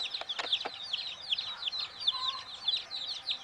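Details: Baby chickens settling to sleep, a flock of chicks giving rapid high thin peeps, each a quick falling note, overlapping in a steady chorus with a couple of sharp taps early on.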